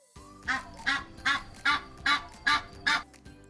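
A domestic gander gives seven loud, nasal honks, evenly spaced about every 0.4 seconds, over a faint steady background hum.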